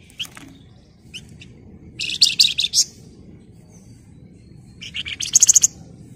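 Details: Flamboyan singing emotionally in tight, shrill bursts, used to trigger other birds: a short dense chattering phrase of high notes, a pause, then another burst ending in rapid piercing trilled notes.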